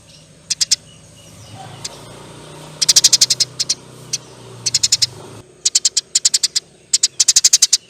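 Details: Eurasian tree sparrow in full chattering song, in the long "nyerecet" style. Bursts of sharp, high chirps come in rapid runs of five to ten, separated by short pauses, over a low steady hum.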